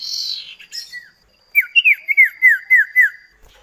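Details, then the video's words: Common iora song, a duet used as a training lure to make kept birds sing; a run of clear, downslurred whistled notes repeated rapidly, about six in a row, after a softer high opening phrase. "Masteran burung CIPOH KACAT gacor ngerol duet pancingan"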